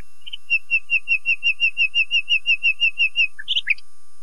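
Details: Common nightingale delivering a long run of identical soft whistled notes, about four per second, then a short scratchy burst of varied chirps.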